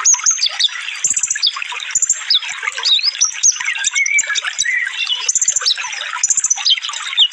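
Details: Sunbird song in a fast, densely packed training mix for cage birds: rapid high twittering, sharp squeaky chirps and short rising whistles tumbling almost without pause, with brief louder bursts near one and five seconds.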